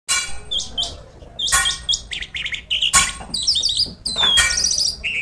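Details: Lark called Jal lark or Irani branjangan, from Pakistan, singing vigorously: a varied, high medley of sharp chirps, short trills and scratchy notes in quick bursts, broken by brief pauses and loud clicking strokes.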